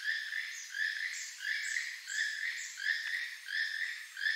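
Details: A Keel-billed Toucan gives its song, a far-carrying, frog-like croak repeated steadily at about three every two seconds, dry and creaky, with no other sounds standing out.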